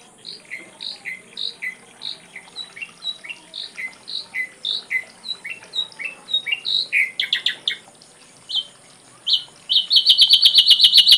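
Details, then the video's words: Ashy drongo tutor song with complete fill-ins: a long, even series of soft paired chips at a brisk pace, rising in loudness into quick clicking bursts and ending in a fast buzzy trill. "Masteran srigunting abu abu isian lengkap"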